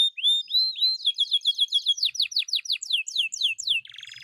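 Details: Vigorously singing canary, offered as a lure and tutor song to prompt quiet birds to sing. High whistled notes open, then a fast series of clear downward-sweeping slurs, ending in a short buzzy trill.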